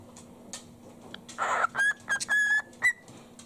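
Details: A pet male Sun conure, excited on hearing its owner come home and open the door, gives a harsh squawk, then four or five short, piercing whistled screeches in quick succession, in a quiet room.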